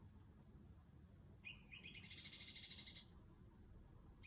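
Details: Bird singing outside a house at roughly 2 am: after a short high note comes a fast, even, high-pitched trill lasting about one and a half seconds, then silence and a brief note, over low background rumble.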